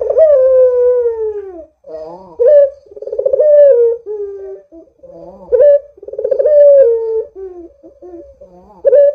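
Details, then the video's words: Barbary dove singing strongly, played to coax doves to call: a long falling coo opens, then repeated cycles of a rising note, a pulsing roll and a sustained, softly descending tone. "Suara Burung PUTER Gacor ini Paling Ampuh Untuk PANCINGAN Puter Agar BUNYI"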